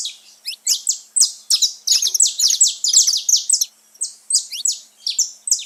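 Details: Wild saffron finches singing together in nature: fast, overlapping high chirps with sharp falling strokes, densest in the middle, then a few spaced notes near the end.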